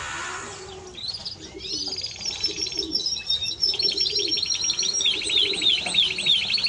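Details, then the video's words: Timbrado Español canary song: a descending opening note, then sustained high trills and fast rolling repeated phrases growing louder toward the end. "Timbrado Español Canario song - Canario Cantado"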